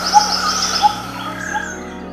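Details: Crimson-fronted barbet, usually seen alone or in pairs in treetops, giving three hollow, low 'tuk' notes about two-thirds of a second apart, over a steady humming drone in the background.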